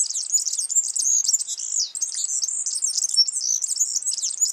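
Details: Yellow-fronted canary singing in the wild: a continuous, rapid, high-pitched warble of twittering trills and chirps, sustained without pause throughout, with no other clear sounds.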